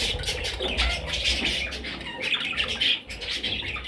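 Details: Parrot chicks giving dense, harsh, raspy squawks that overlap continuously without pause, with a low rumbling handling noise underneath.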